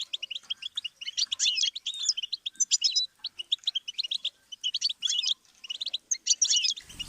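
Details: Goldfinch song for training chicks and songbirds: quick bursts of bright chirps and buzzy trills in short phrases separated by tiny gaps, ending with a faint knock.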